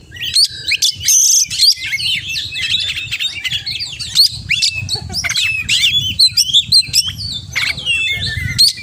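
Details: Oriental magpie-robin in full, rich song packed with mimicked phrases: rapid varied whistles, sharp upslurs and buzzy trills in a dense, nearly continuous stream, with a low rumbling hum beneath.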